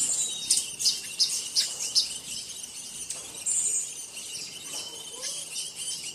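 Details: Blue-naped chlorophonia giving thin, very high chirps in quick irregular bursts, some clustered around one and two seconds, then a longer sustained high note, over a steady hiss of background noise.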